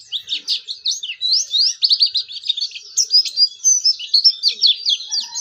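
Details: Oriental white-eye singing vigorously, its song offered as a lure to set other white-eyes singing: a rapid, unbroken stream of high sharp chirps and short slurred whistles in dense bursts, loud and clear over a quiet background.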